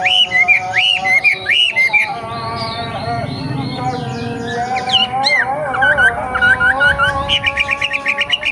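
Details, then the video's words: Song of a young wild racket-tailed treepie: looping whistled phrases, some wavering, ending in a fast series of short repeated chips, with a constant tonal drone and murmuring noise behind. "KICAU WAMBIE MUDA HUTAN"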